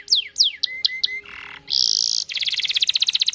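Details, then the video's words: Chirpy canary song used to draw other canaries into singing: downward-sweeping chirps and short ticks, a low rasping buzz, a loud bright buzz, then a fast pulsed trill. "Pancingan cuit cuit kenari Gacor panjang ini ampuh buat memancing kenari lain pasti ikut bunyi"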